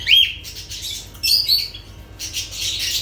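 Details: Lovebirds calling with a sharp, rising shriek at the start, then bursts of harsh, squeaky, high chatter with short gaps.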